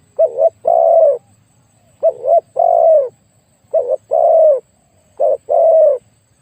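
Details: Big-voiced spotted dove calling while used to decoy wild doves: four evenly spaced two-part phrases, each a quick wobbling note followed by a fuller, falling coo.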